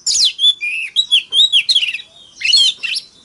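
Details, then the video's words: Oriental magpie-robin giving a fighting song in forest-voice style, used to rouse males into song: loud whistled slurs and buzzy rising notes in quick bursts, a short pause, then a final cluster of high warbled phrases. "Choè than hót múa . Tiếng than mồi hót đấu .kích choè than hót sáng"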